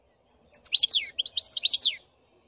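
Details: Black-headed goldfinch song, two rapid phrases of high, liquid twitters and slurred notes falling slightly at each end, clean and free of other sounds.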